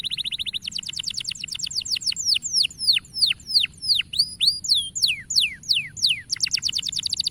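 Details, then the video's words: Canary song played to encourage young canaries to sing: opens with a rapid high trill, then a series of clear whistled notes sweeping downward and rising, repeated about three per second, ending with another fast buzzy trill. "Cuitan Burung Kenari"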